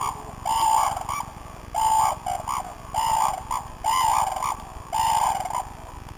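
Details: Many red-crowned cranes at the crane sanctuary in Tsurui village, described as noisy, give loud, bugling, trumpet-like calls in overlapping bursts about once a second, with faint background noise; red-crowned crane.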